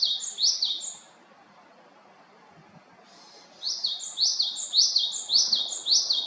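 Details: Japanese tit recorded while birding in Haenam, giving high, sharp two-note phrases repeated rapidly. A run near the start, a quiet pause, then a longer series of clear, ringing phrases.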